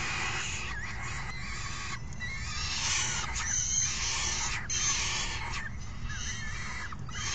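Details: Falcon chicks begging loudly as a parent feeds them a meal brought in by the other adult, June 3, 2018; harsh, raspy overlapping screams in rapid bursts from several young, with thin wavering squeals between.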